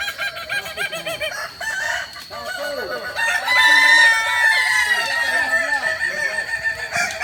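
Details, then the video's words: Kokok Balenggek roosters training their crow in Ampang Kualo, Solok. A chorus of drawn-out harmonic crows with arched syllables grows stronger from about 3 seconds and stays loud and sustained to the end. "latihan ayam kukuak balenggek"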